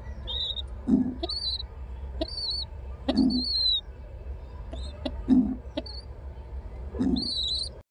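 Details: Pet pigeon with a growing young pigeon: soft, low coos about every two seconds, mixed with thin, high chirps and squeaks from another bird close by.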